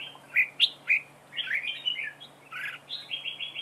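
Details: Red-whiskered bulbul decoy in a trap duel, singing loud, sharp whistled notes followed by warbling slurred phrases. It ends with a rapid series of about five repeated notes. A low hum lies in the background.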